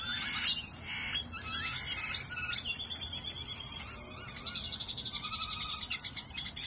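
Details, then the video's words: Many birds chirping together at sunset in Goodyear, Arizona: a dense mix of high twittering and short chirps over a steady low background hum. "Birds chirping"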